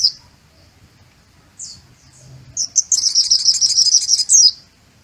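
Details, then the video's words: White-eye singing with a learned sunbird-style song: a few separate high sharp chirps, then a rapid buzzy trill of dense high notes lasting over a second, ending in a sharp downward chirp. "Suara Pleci Rasa Kolibri Muncang"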